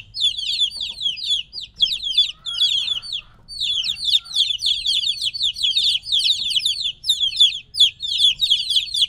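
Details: Three-week-old chicks separated from their mother chirp in a dense, high-pitched chorus of short falling peeps, broken by a couple of brief gaps, over a quiet background.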